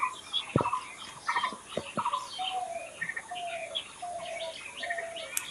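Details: Several birds singing in a natural outdoor setting: a burst of harmonic chirps and sharp clicks opens, then flat, steady whistled notes repeat about every half second under continuous high twittering from other birds.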